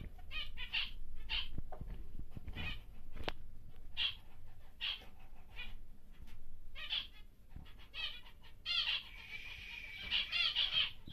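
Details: Big normal grey male zebra finch in captivity sings a series of nasal, buzzy stacked notes in repeated phrases, ending in a longer rasping strain. Cage clatter and low background hum are heard throughout.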